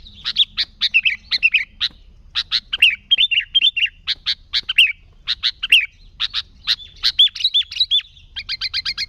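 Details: Sooty-headed bulbul in lively, unmixed song used to lure other bulbuls: rapid bursts of bright chirps and squawky notes, several slurred downward whistles and a closing fast rattle of repeated notes, with faint low hum beneath.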